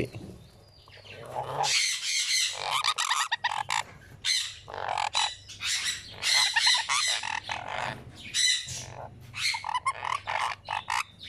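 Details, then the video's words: Sun conure chick about one week old begging while being hand-fed: bursts of harsh, raspy squawking chatter in rapid pulses, separated by brief pauses, with a low steady hum underneath. "Sun Conure Baby feeding"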